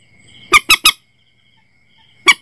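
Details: Sharp three-note burst of grating squawks from a Common Moorhen, used to attract birds to nets at night, followed after a pause by two more identical notes; a faint steady hum sits beneath.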